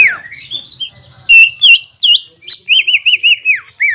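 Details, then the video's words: Loud provoking song of a greater green leafbird meant to stir a rival: a descending whistle, then varied warbled notes leading into a fast series of looping, rising-falling whistles, about six in a row, then a final dropping note. "PANCINGAN CUCAK IJO GACOR BIKIN HYPER CUCAK IJO LAWAN LANGSUNG JAMTROK DAN PANAS"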